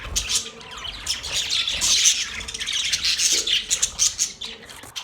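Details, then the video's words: Australian parrot (budgerigar) giving busy, high twittering chatter with quick squeaky chirps in uneven bursts, rising and falling in loudness throughout, a soft low hum underneath. "Australian Parrot Bird Chirping sound"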